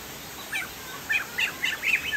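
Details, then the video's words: Chinese hwamei (poksay jambul sumatra) giving short clusters of bright, wavering whistles that grow louder toward the end, over a faint hiss. "POKSAY JAMBUL GACOR"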